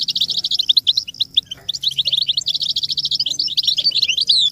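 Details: American goldfinch song meant for teaching chicks to sing: a fast, continuous high twitter of sweet chirps and slurred notes, with brief dry rattles mixed in and a faint low hum underneath.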